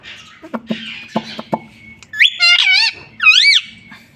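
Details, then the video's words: Pet parrot advertised as talking: soft knocks and clicks first, then three loud, ringing, wavering calls, the last one swooping up and down, over a faint steady hum. "Mummy papa bolunga 👑 BOLNE WALA TOTA 😁 Talking parrot"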